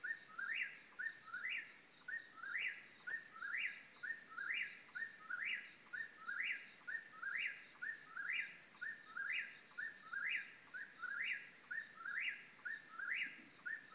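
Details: In central North Carolina, an eastern whip-poor-will repeats its whistled phrase in a long, even series, roughly one per second. Each phrase is a brief lead-in note and then a swooping upslurred whistle. A faint constant high hum runs behind it.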